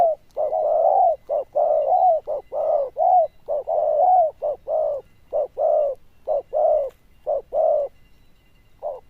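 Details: Loud-voiced zebra dove with a bell-like tone and good cooing, delivering a rapid run of mellow, slightly arched coos, about one per second, in steady bursts against a quiet background.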